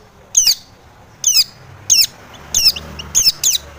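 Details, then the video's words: Long-tailed shrike used to stir other shrikes into calling: six grating, buzzy rasps, each about a quarter-second long, repeated roughly every half to one second in a quiet setting. "KICAU SUARA cendet gacor RAJA PIKAT ini RAJANYA BIKIN NYAUT pentet lain"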